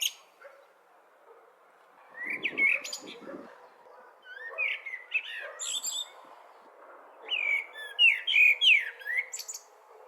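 A blackbird sings three mellow, warbled phrases, each ending in a thin, squeaky twitter, a few seconds apart. A low steady murmur runs underneath.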